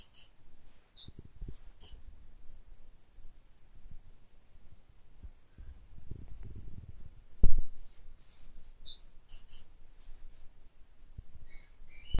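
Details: Great tit (Parus major), a pet bird, puffed up and singing thin, high, slurred falling notes in two bursts a few seconds apart, over soft indoor thumps and rustling.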